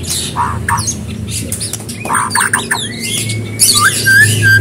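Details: White-rumped shama song for prompting another bird: dense scratchy, squawking notes and quick chatter, then a long thin whistle and a fast burst of high jumbled notes near the end, low hum beneath.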